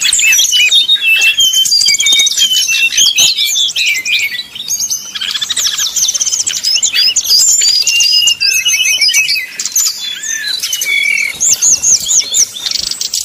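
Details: Brown-chested jungle flycatcher singing 'nyuling' flute-like song to provoke rival birds: long unbroken stream of quick high whistles, looping slurs and twittering trills with few pauses.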